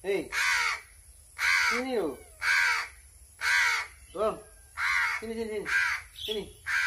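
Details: A crow begs loudly while being fed by hand because it is hungry. Eight harsh caws are mixed with brief, lower gurgling and whining notes in an uneven, rapid run.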